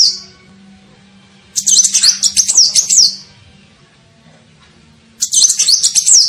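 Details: Lure call of a sunbird, the kolibri ninja: a fading high note, then a burst of rapid, piercing twittering, a pause of about two seconds, then another fast twittering burst, with a low background hum.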